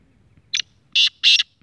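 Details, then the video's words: Short-cut call of a six-month-old speeder black francolin: a clipped harsh note followed by two drawn-out grating rasps and the start of another. "Speeder Kala Teetar ka Patha age 6 months Shotcut awaz"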